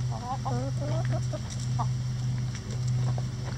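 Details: Chickens pecking a hanging cabbage ball in a coop run as a boredom buster; a quick series of wavering clucking notes, several overlapping, in the first two seconds over a steady low hum.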